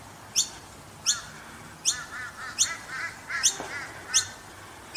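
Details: Noisy miner chicks in Brisbane give sharp, high chirps about every three-quarters of a second, with softer, lower warbling notes in between.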